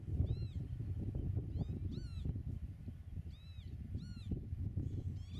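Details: Pied avocet at its nest in a Dutch meadow, camera 8 metres away: repeated clear, arched klip notes in pairs and short runs, about five bursts, over constant low wind rumble.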